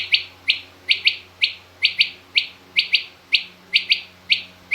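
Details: Female rain quail calling, in a mixed quail recording from a hunters' source: short, sharp, high notes repeated about once a second in an uneven series, often in quick pairs, over faint low hum.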